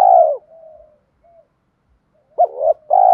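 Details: Spotted dove decoy call for attracting wild doves. A long falling coo ends, soft low notes follow, then a new phrase starts with a hooked coo, a rising note and a long mellow coo.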